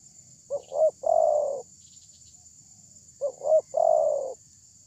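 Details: Loud spotted dove used as a lure to draw other doves into responding. It gives two low cooing phrases, each two short notes followed by a long drawn coo, about three seconds apart, with a steady high electronic whine behind.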